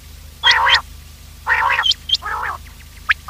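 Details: Quail calls played to lure quails for trapping: loud nasal, harmonic bursts of about a third of a second, repeated in a group of three, with short high whistled notes in between.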